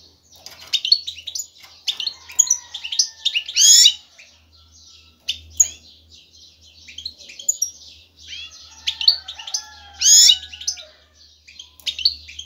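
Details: Breeding-ready male European goldfinch singing strongly and twittering to lure a female to mate: long runs of rapid liquid chirps and buzzes, twice peaking in loud harsh buzzy phrases, with a faint low hum.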